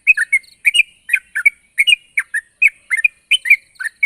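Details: Rival-calling sooty-headed bulbul giving paired, slurred chirpy notes in quick succession, each pair rising and falling, with brief gaps between groups.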